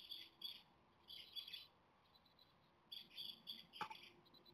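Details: Japanese tit nestlings on day 17 of nest care, begging for food as the weather turns worse, close to fledging. Bursts of high, hissy, rasping chirps come in four clusters with short silent gaps, and there is one sharp knock near the end.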